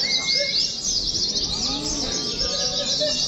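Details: A crowd of caged Oriental white-eyes gathered for contest simulation training pours out fast, overlapping high chirps in a steady shimmering wall of sound, with faint lower whistles below.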